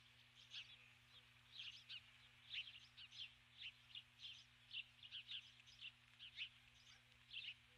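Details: At dusk a female osprey stands on the nest, having brought a stick, and calls repeatedly for her absent mate; rapid series of high, thin chirps about once per second, with a constant low electrical hum.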